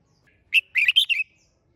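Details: Red-whiskered bulbul singing a short, clean phrase: one sharp whistle followed by four rapid slurred notes rising then dropping, under one second, otherwise silent.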